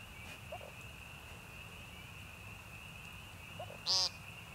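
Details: ['American woodcock (Timberdoodle) peenting at Young Conservation Area, northern Missouri Ozarks, March 28, 2015: near the end a single short, nasal, buzzy peent rings out over a steady high insect-like tone and faint background rustle.']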